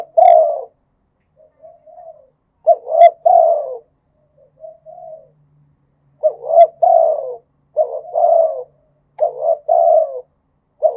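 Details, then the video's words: Thai spotted dove giving khat and nun style coos. Loud three-note phrases, each a pair of short coos and a longer descending one, alternate with a few quieter, softer coos, and the song is clean and uninterrupted. ""ทั้งขัด ทั้งหนุน" เสียงนกเขาใหญ่"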